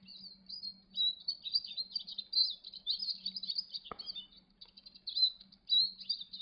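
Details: Several Eurasian siskins feeding at a Niger seed feeder twitter in high, thin, wheezy notes and fast chatters, near-continuous and overlapping, with one sharp click partway through and a low hum underneath.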